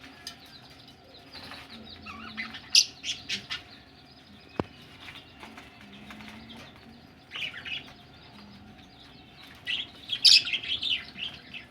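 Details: Egg-ready budgies give scattered bursts of sharp squeaks and scratchy chirps, with quiet gaps between, a single sharp click midway and a busier squeaky flurry toward the end.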